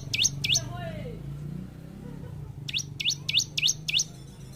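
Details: Bar-winged prinia in energetic gacor song for training caged birds: two sweeping chirps, a gap, then five quick rising notes over a steady low hum.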